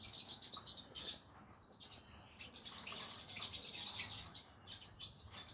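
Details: Evening singing from a green-cheeked conure, a soft, continuous stream of high chirps and buzzy twitters that swells and fades, with a faint hiss of background noise.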